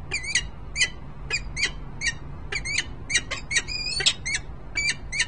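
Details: Sharp, ringing chip notes from a male and female peregrine falcon pair in Harrisburg, Pennsylvania, 10 December 2020, given singly or in pairs roughly twice a second, with a soft background hum.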